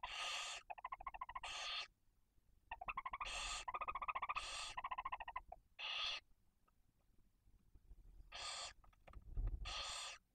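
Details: Barn owl at a nest in Cabañeros National Park, Spain, with a female and two chicks one and four days old, fed on prey brought by the male. Repeated harsh, broadband hissing bursts alternate with rapid rhythmic chittering pulses, over quiet background.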